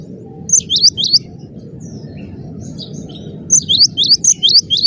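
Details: Cinereous tit, called gelatik batu, in tight gacor song: a short burst of high ringing phrases, a quiet stretch with faint distant notes, then another rapid run of whistles above a steady low hum.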